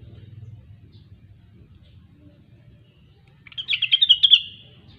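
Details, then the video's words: After a few quiet seconds, a cucak wilis or Grey-cheeked bulbul delivers one short burst of rapid, ringing, bubbling notes. "Rengganis/Cucak Wilis Gacor"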